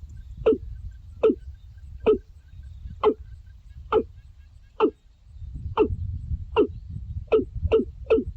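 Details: Repeated hollow, falling knock-like calls from a watercock, about eleven notes, starting slow and quickening toward the end, over a persistent low rumbling background.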